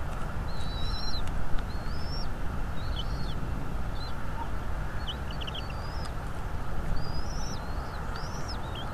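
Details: Bald eagles at a North East Florida nest, recorded by a streaming nest cam on 2 February 2022 at 17:17: a run of short, high, squeaky whistled notes and brief chatter, spaced about a second apart, over loud low wind noise.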